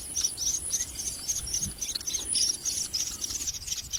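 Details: Begging common myna young, fed a lizard, keep up a steady stream of short, shrill, raspy bursts, roughly four per second, at fairly even loudness throughout.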